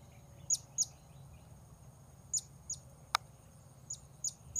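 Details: Faint, shrill, very high single notes of a blue-crowned hanging parrot luring wild birds at Port Baru, scattered at irregular gaps, with one sharp click midway and steady background hiss.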